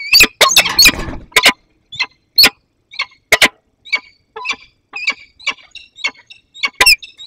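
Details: Juvenile peregrine falcon meeting an adult in the Barycz Valley, 15 August 2021. Loud harsh notes at first over a brief rumble, then a steady series of thin whining, wailing calls repeated about twice a second.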